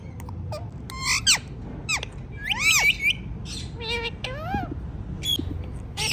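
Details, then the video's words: Pet ringneck parrots squawk and screech in harsh, harmonic, up-and-down calls with some sweeping whistles, heard loudly over a steady low background rumble indoors. "So Cute Talking Ringneck Parrots"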